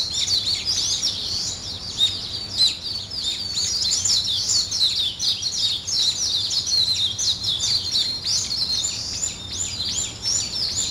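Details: Long run of morning birdsong, a thick wall of high twitters and chirps with occasional louder accents, steady and unbroken throughout.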